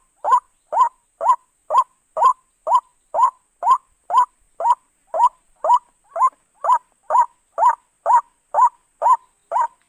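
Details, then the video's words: Lure call of a white-breasted waterhen for trapping birds, a relentless series of coarse croaks at an even pace of roughly two per second over a faint high-pitched hiss. "suara burung ruak ruak paling mantap 100%"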